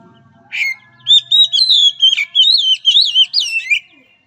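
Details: Oriental magpie-robin whistling a therapy song meant to train a weak-spirited bird: a sharp opening note, then a chain of loud, wavering whistled phrases, with a low hum underneath.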